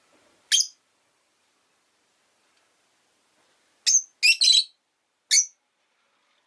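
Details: Rosy-faced lovebird giving sharp, high, harsh chirps: a single note, a pause of about three seconds, then a quick cluster of four to five chirps and one more at the end, with quiet background between calls.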